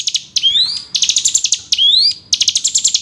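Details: Lure recording of a hill prinia, played to coax reluctant birds into frequent singing: long upward-sliding whistles interleaved with fast, dense trains of sharp high chirps, cycling steadily with no other sounds.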